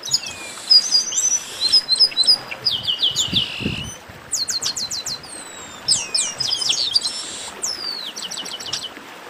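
A lively tangle of chestnut-capped blackbirds: high, clear whistles and quick down-slurred notes overlapping in a busy, restless chorus, with a soft thump midway.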